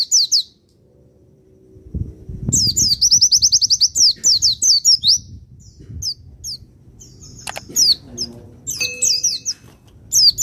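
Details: Javan white-eye of the Pacitan type as a provoking master recording: energetic high chirping phrases with a rapid repeated-note rattle, pauses, and a sharp click amid faint low background noise.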